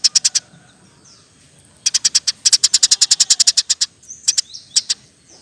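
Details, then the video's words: Eurasian tree sparrow singing in rapid-fire 'roll tembak' style, kept as a tutor recording for other songbirds: dense trains of short, high, sharp chirps in quick bursts, with pauses between runs and a faint hiss behind. "Burung gereja gacor. Roll tembak pas untuk masteran"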